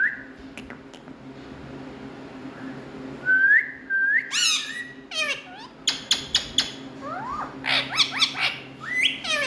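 An Indian ringneck parrot gives a rapid run of sharp whistles, swooping squawks and chattering mimicry, bursting out every second or so over a steady indoor hum.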